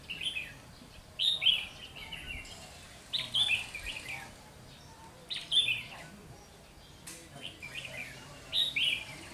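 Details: On 30 June 2020 a novice decoy red-whiskered bulbul draws wild bulbuls toward a trap with a steady run of short bright whistled phrases, about one every two seconds across nine seconds, under a faint hiss.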